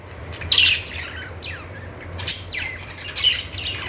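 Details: Budgerigar chirping: three separate harsh squawky bursts with descending scratchy warbles between them, against a quiet low background hum.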